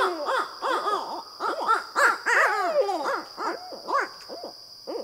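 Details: Barred owls (Strix varia) in a raucous, wavering caterwauling bout of hoots and cackles tumbling over one another several times a second, over a steady high insect drone.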